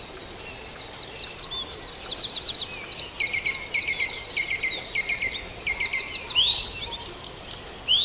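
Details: Dawn chorus of many birds at Farndale: dense overlapping high chirps, quick repeated trills and sweeping notes in steady runs, with a loud rising sweep near the end over a faint background hiss.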